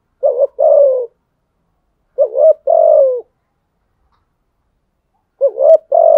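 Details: Challenge cooing of a spotted dove aimed at rival wild males: three spaced phrases about every two and a half seconds, each a brief wavering lead-in and a drawn-out husky falling coo. Background silent.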